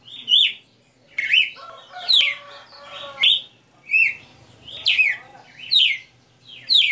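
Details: Captive red-cowled cardinal performing its "60 notes" song live, giving bright slurred whistles that rise and fall, one phrase roughly each second, with a lower, richer warbled passage near the middle.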